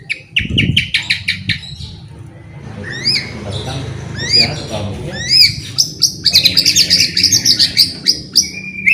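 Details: White-rumped shama singing continuously, used to prompt sluggish shamas to sing again: bright whistled notes and rising slurs from about two seconds, then rapid chattering phrases; a low voice-like murmur at the start.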